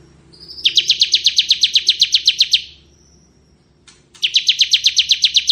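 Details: Ciblek kristal, or bar-winged prinia, singing ngebren: a rapid run of high chips that swells in, stops, then after a brief click a second quick burst of the same notes.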